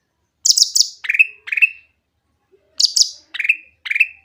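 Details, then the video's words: Energetic, clear Grey-cheeked bulbul song meant to trigger other bulbuls: a rapid burst of high chirps followed by two ringing down-slurred whistles, a short pause, then the same phrase again. "cucak ranting gacor suara jernih untuk pancingan yang susah bunyi"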